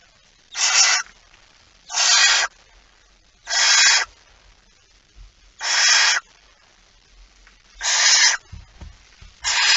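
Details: Barn owl at the nest with mouse prey, shortly after midnight on 23 September 2019; rasping, breathy hisses lasting about half a second, repeated roughly every one and a half seconds against a quiet background.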